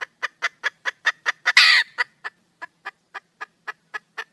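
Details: Wild red junglefowl hen calling for a male, giving rapid clucks, a harsh loud squawk, then a slower, quieter series of evenly spaced clucking notes.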